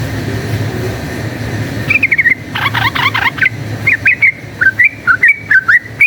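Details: Yellow-vented bulbul in fighting song, used as a lure: after two seconds of low background rumble, a bright chattering burst of buzzy notes, then spaced looping whistled chirps repeated about twice a second.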